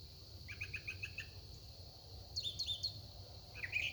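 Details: A songbird singing varied phrases at sunset gives a quick run of five chirps, falls silent, then adds three high sliding whistled notes and a final rising chirp, with a low hum behind.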